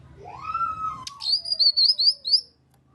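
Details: Grey-cheeked bulbul (kinoi) call used as a lure to prompt quiet kinoi to join in and sing: a low whistle slurs upward then glides slowly down, overlaid by a quick series of high, sharp chirping notes lasting about one and a half seconds.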